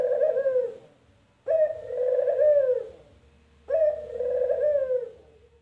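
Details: Burung puter, or Barbary dove, cooing in the 'empuk jeruu' style: three drawn-out, throaty, gently falling coos of around one and a half seconds each, spaced by brief silences, no other sounds.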